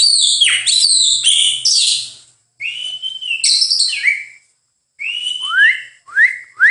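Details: White-rumped shama singing varied, melodious whistles: looping high notes, level fluty tones, then sharp rising slurs, with short gaps between phrases.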